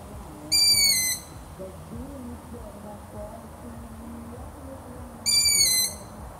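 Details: Two squeaky, whistle-like long-eared owl calls, each around half a second with a slight downward slur, repeated about every five seconds; faint low wavering background sounds between them.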